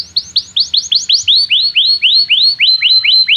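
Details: Canary in energetic song meant to prompt young canaries to learn: a steady series of clear whistled notes, each rising then dropping, about five per second, loud and regular throughout.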